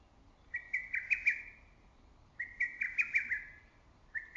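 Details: Loud lesser cuckoo among the trees in early summer: two successive phrases of rapid, evenly pitched whistled notes, five or six per phrase, about two seconds apart, with a third just beginning.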